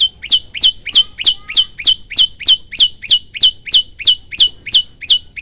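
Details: Olive-backed tailorbird in a cage, loud and in full voice, delivering rapid 'shot' notes: piercing, high, clipped chips fired about three per second in a long, very even run of some seventeen notes.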